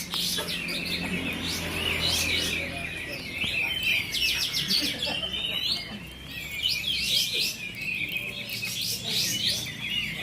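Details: Kapas tembak bulbuls competing in a singing contest at Bonjol, Pasaman Timur, pour out continuous high, fast chattering phrases of rippling notes and short trills over a low hum of voices and background noise.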